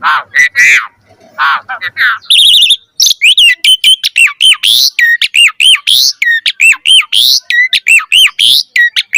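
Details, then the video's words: Chatty Asian pied starling in pumping 'mompa' song, a training recording: harsh opening notes give way to a dense, rapid run of repeated chirpy whistles with sharp upward flicks. "Pancingan Jalak Suren Gacor Cepat MOMPA Full Variasi"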